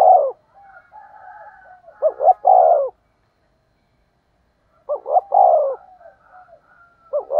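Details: Lure-call cooing of a spotted dove meant to attract wild doves: two short low notes followed by a drawn-out coo, with softer trailing murmurs between phrases and a long silent gap midway.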